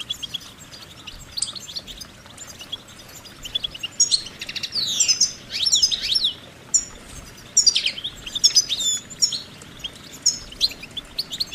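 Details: Long stretch of goldfinch song: lively, high, musical twittering with repeated sweeping notes, buzzy slurs and rapid chattering runs, nearly continuous with small breaks.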